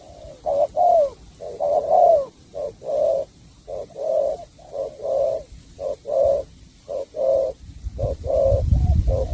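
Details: Cooing spotted dove, Cà Mau, Vietnam, sắm bầu bạch đề song style: a run of soft, throaty paired coos at an even pace, with a low rumbling noise rising near the end.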